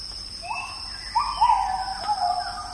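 A magpie-robin sings a rising whistled phrase, then sustained, slightly wavering notes, over a steady high insect drone in the forest.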